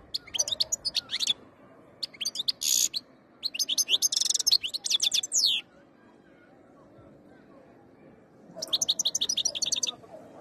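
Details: Goldfinch ready to breed delivers long, dense runs of tinkling twitters and harsh buzzy trills, stops briefly, then resumes with a fast string of even chirps.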